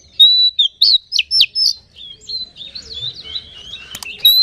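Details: Oriental magpie-robin lure song meant to excite other magpie-robins: loud whistled phrases, a long steady note then quick upward and downward slurs, fading into quieter rambling twitters before a final loud note and a click.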